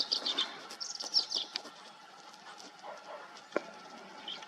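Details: Green-tailed towhee filmed in Texas or New Mexico, a sparrow that forages in brush: short high chips, then a thin, high, drawn-out note of about half a second ending in a downward slur, over rustling and faint steady hum.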